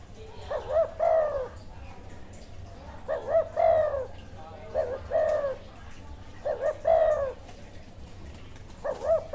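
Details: Wild spotted dove with good karam style cooing steadily: five phrases of paired short hoots and a long falling note, repeated every two seconds or so, against a rumbling, hissy background.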